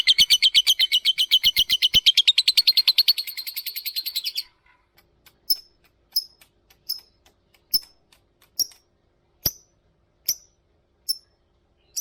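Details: Lovebird giving a long chattering 'ngetik ngekek' song used to prompt other lovebirds to sing: a fast run of rattling ticking notes for about four seconds, then sharp high chirps spaced roughly every second.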